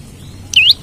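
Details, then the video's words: Olive-backed tailorbird used as a lure or training bird, one short sharp whistle that dips and climbs, clear against faint background hum. "Prenjak Lumut Gacor Nembak Cari Lawan Buat Pancingan/Pikat/Masteran Ampuh"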